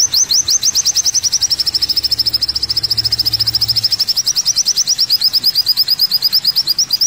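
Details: Kolibri wulung, or olive-backed sunbird, singing a long high trill of fast thin rising notes, roughly two per second becoming quicker, running on evenly for seven seconds without pause.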